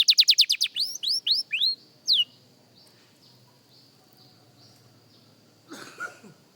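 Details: Young canary practising: a fast burst of rising whistled notes and a few slurred sweeps lasting about two seconds, then near silence with a faint rustle near the end.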